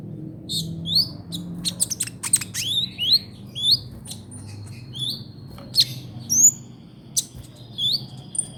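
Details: Hummingbird song used as a model for training songbirds: thin, very high chirps and rising and falling whistled squeaks in quick scattered bursts, with sharp clicks and a faint low hum.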